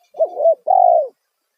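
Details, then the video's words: Spotted dove call used as a lure for wild doves: a loud two-part cooing, a short wavering coo followed by a longer steady coo, clear and close. "Panggilan suara tekukur kuk satu suara lantang auto burung liar respon"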